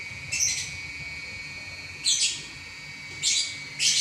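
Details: Lovebird, a champion bird singing without stopping: three or four loud, buzzy, high chirps spaced about a second apart, with a quiet gap early on and a low steady hum.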